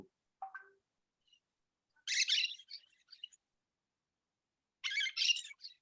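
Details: Recording of an Orange-chinned Parakeet played at a bird-count meeting for Cerros de Escazú protected zone, where it is common year-round at various altitudes: harsh, scratchy, high, buzzy chattering bursts, two main bursts about three seconds apart, after a brief short note.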